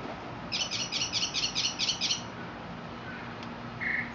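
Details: Mockingbird in Mexico singing a rapid run of about ten identical chirped notes in under two seconds, then a pause, a faint short whistle and a brief buzzy note at the end.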